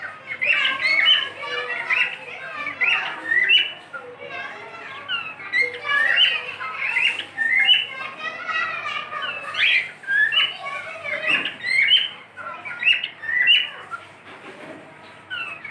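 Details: A pet cockatiel keeps up a dense, busy stream of chirpy whistled notes and warbles, with loud bursts coming roughly every second.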